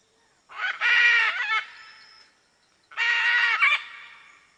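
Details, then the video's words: Two loud, grating macaw squawks about two seconds apart, each rasping and harmonic, trailing off with reverberation. "SOM DA ARARA"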